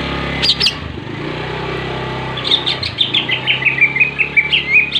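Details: Greater green leafbird's full 'ngentrok jenggrik' fighting song, played to provoke rival leafbirds: a steady low engine-like hum throughout, with a quick series of high twittering, descending notes entering halfway.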